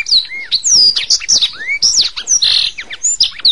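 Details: Training recording of a singing canary: quick, high-pitched medley of rising and falling whistled slurs, chips and short rolling trills, delivered without pause.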